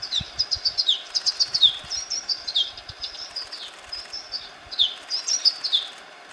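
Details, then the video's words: Golden-backed Mountain Tanager at Bosque Uunchoq, central Peru, usually one or two birds in a mixed flock feeding in bushes, gives high, sharp, twittering notes in quick runs, several clusters over a few seconds, over a faint steady hum. "Golden-backed Mountain-tanager"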